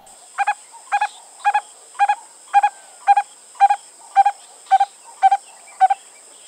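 A Black-collared Barbet female calls alone, giving a steady series of about twelve hollow, doubled notes, roughly two per second, over a faint high hiss.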